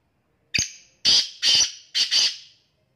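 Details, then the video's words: Black francolin gives a harsh grating call of four rasping, buzzy notes, a short click followed by two drawn-out grating notes and a final double phrase, in a quiet setting. "sindhi teetar ki awaz black teetar ki awaz kala teetar ki awaz desi teetar ki awaz blackfrancolin"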